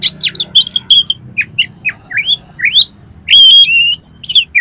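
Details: Oriental magpie-robin in full song loaded with filler material, used to prompt competition birds: rapid upslurred and downslurred whistles, a run of sliding notes, then long clear high whistles held for about a second, over faint hum.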